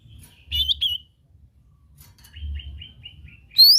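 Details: Lesser green leafbird, a rural songbird, giving warbled twittering notes, then a soft run of short repeated chirps, ending in a loud rising whistle; low rumble underneath.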